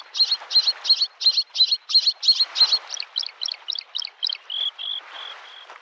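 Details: Bluethroat singing in spring at a lakeshore: a loud series of about eighteen rhythmic ringing notes, rapid then slower, ending in a few plain whistled tones, over gentle wave noise.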